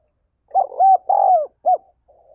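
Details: Spotted dove giving urging calls used to rouse decoy birds: one crisp phrase of a short coo, two long mellow arched coos and a final short coo. The bird is close and the background is quiet.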